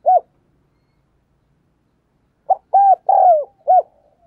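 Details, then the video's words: Spotted dove used as a decoy to excite wild doves: a single short coo, a pause of two seconds, then a phrase of two brief coos, a drawn-out descending coo and a short final note. "Chim Cu Mồi Gù Thúc Bổi Nghe Hăng Nên Và Rất Siêng Gáy"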